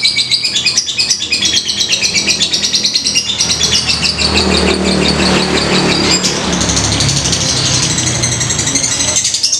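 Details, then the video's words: Fighter lovebird singing ngetik ngekek, played as a lure: continuous shrill chattering trills throughout, partly masked by a droning vehicle engine in the low range. "lovebird fighter ngetik ngekek"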